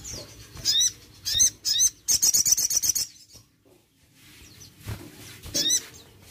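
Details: Crested jay played to stir a reluctant bird into calling; high, thin whistled notes with sharp chips, then a fast run of rapid repeated ticks, a short pause, and more scattered high chirps.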